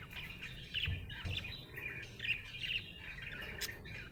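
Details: Budgerigar in a happy mood giving a rambling chatter of quick squeaky chirps and brief whistles, rising and falling in loudness, over a low hum.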